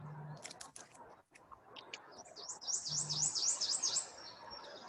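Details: At Susquehanna State Park during spring migration, a prothonotary warbler sings a loud, ringing series of about six bright, evenly repeated high notes after a few scattered chirps over soft background noise.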